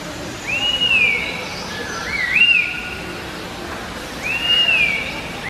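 Laughingthrush giving clear, high whistled notes that rise, hold, then slur down, three phrases in about five seconds, over a soft background hiss.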